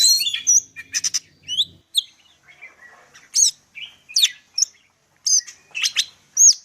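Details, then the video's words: Greater green leafbird of the Medan type delivering chattering notes, then spaced, clear rising whistles and quick chips separated by short silences. "cucak ijo medan_gacor full isian"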